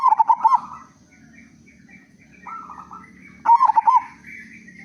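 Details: Loud local zebra dove singing to draw other doves into song: two bursts of fast bubbly coos about three seconds apart, with softer nasal notes and a steady low hum between.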